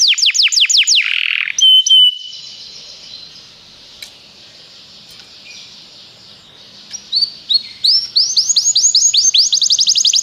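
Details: Canary song played to encourage another canary to sing: fast repeated downward-sweeping trills at the start and end, with a quieter buzzy rolling stretch and a brief pure whistled note between them.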